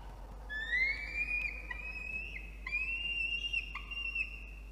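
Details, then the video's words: Captured by a box camera in Orange, NSW, Australia, a peregrine falcon chick complaining as its nest is cleaned in the afternoon of 17 November 2021 utters long, rising, whistle-like whines broken into several drawn segments. "Yurruga doesn't like the house being cleaned"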